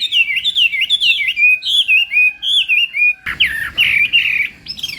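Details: Chinese hwamei performing a morning fighting song as voice training; a flowing chain of clear, wavering whistles, then after an abrupt cut a louder, harsher burst of slurred notes.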